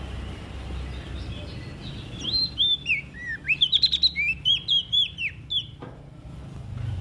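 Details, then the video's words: Olive-backed tailorbird from West Nusa Tenggara, singing vigorously, a recording used to prompt quiet birds to sing: a burst of sharp, high chirped notes, some rising and some falling, repeated rapidly for about three seconds over low background hum. "PRENJAK DAUN NTB GACOR buat Pancingan Burung Malas Bunyi"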